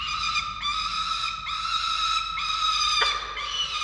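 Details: Falcons at a nest in Orange, Australia, feeding chicks on 13 November 2022. Steady, tonal, whining wails repeat about once a second with rich harmonics and little pause between them.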